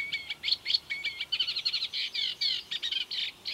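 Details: On 12 July 2015 beside the Doubrava river near Lišice, Svatý Mikuláš, a Eurasian reed warbler chatters rapidly, mixing harsh grating notes with thin rising whistles and short buzzy bursts in an uneven rhythm.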